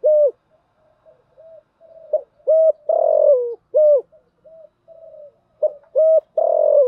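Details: Spotted dove, female lure bird used to excite decoys, cooing in the thúc gù and gáy gọi styles. Deep, hollow hoots come in repeated phrases, each ending in a longer falling coo, with quiet purring notes between.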